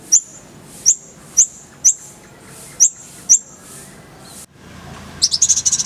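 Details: Sharp, very high upslurred notes from a kolibri ninja (purple-throated sunbird), spaced about half a second apart, then a brief pause and a fast bright trill burst; tutor recording with full fills and rolling shots.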